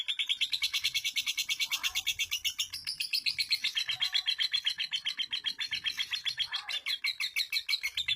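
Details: Caged female lovebird from East Lampung, Indonesia, a long-duration singer: an unbroken, fast, scratchy high-pitched chatter with rapid pulsing notes, shifting in pitch midway and running on for the whole stretch.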